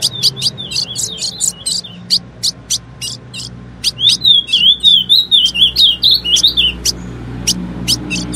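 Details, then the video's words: A female ultramarine grosbeak sings to prompt males to sing. Dense bursts of high chips come first, then a long, fast warbling whistle wavering up and down, with a few scattered chips afterward. "CANTO DO AZULÃO FÊMEA - PARA DEIXAR QUALQUER AZULÃO MACHO CANTANDO MUITO"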